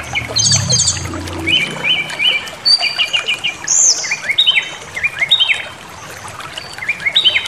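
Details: Provoking song of a brown-chested jungle flycatcher: repeated pairs of short stepped trills at a middle pitch, several sharp high whistled slurs and a low hum in the first seconds, ending with a brief quieter gap.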